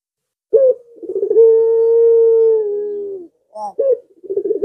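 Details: Puter pelung dove calling to draw out rival birds: a brief opening note, then a drawn-out, level, resonant coo lasting nearly two seconds, then several short broken coos.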